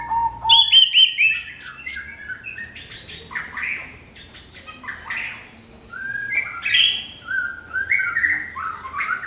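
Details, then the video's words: Crystal-clear orange-headed thrush lure song for provoking other birds to sing: a long, varied medley of loud chirps, buzzy trills and sliding whistles, strongest at the start and continuing in rapid, changing phrases. "SUARA MENGKRISTAL ANIS KEMBANG PANCINGAN TIADA LAWAN"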